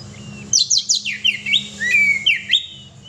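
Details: Actively singing oriental magpie-robin (kacer, gacor): a quick series of loud, high, downward-slurred whistles, then a longer sweeping whistled note and further rising and falling notes, with a steady low hum behind.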